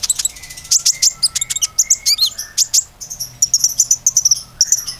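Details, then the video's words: Common iora song used to stimulate other ioras into song: loud sharp chips and short bright whistles in quick bursts, followed by a rippling high trill of fused notes. "PANCINGAN KONIN GACOR AMPUH‼beneran bisa gacor"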